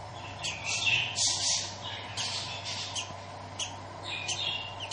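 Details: A budgerigar chick hatching from its egg gives thin, high, scratchy squeaks in quick irregular bursts, about four a second, over a low steady hum.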